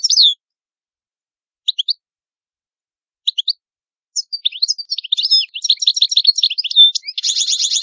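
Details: European goldfinch, Italian, giving a few sparse sharp chirps, then breaking into lively tinkling song with rapid varied notes and a harsh buzzy trill at the close.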